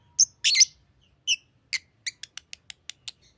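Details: Green lovebird chirping: a few loud harsh squawks followed by a quickening series of short clipped tick-like chirps fading out.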